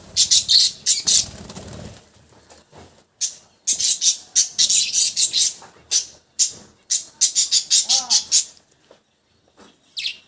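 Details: Budgies chirp and warble in quick, sharp, high bursts, grouped into lively runs separated by short gaps.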